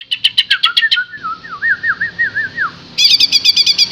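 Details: Green leafbird singing vigorously: rapid bursts of sharp high chips, then a wavering whistled phrase that rises and falls in loops, ending with another quick series of bright chips.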